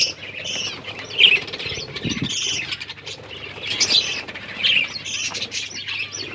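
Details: Captive finches feeding on egg food on October 21, 2023, giving scattered high chirps and squeaky notes in loose clusters, with a low rustling thump around two seconds.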